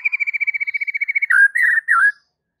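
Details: White-rumped shama, singing to spur other shamas to sing: a rapid even series of about twenty short repeated notes, followed by three longer slurred, warbling whistles.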